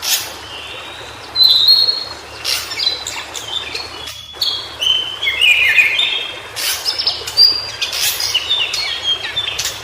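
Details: White-browed shortwing singing in its natural habitat: bursts of quick, high, thin whistled notes and short warbled phrases that rise and fall, with brief pauses between phrases and a steady background hiss.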